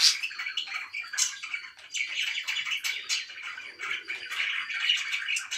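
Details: Pet budgerigars indoors giving a steady murmur of warbling chatter, soft continuous twittering with occasional sharper chirps and faint whistles.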